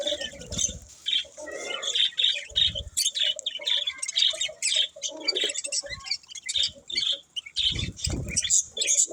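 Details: Chirping budgerigars give quick high chirps and twitters in bursts, with short gaps of quiet and a few low thumps or knocks between phrases.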